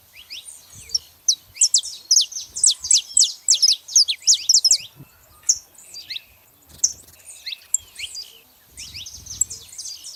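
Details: Saffron finches in a wild gathering: rapid series of bright, high chirps and slurred notes from several birds crowded together, then sparser calls, with light low background noise.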